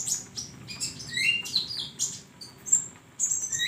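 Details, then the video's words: Flowerpecker song meant for training songbirds, a bright jumble of very high chirps, trills and rising whistled slurs delivered without a break. "masteran burung Konin"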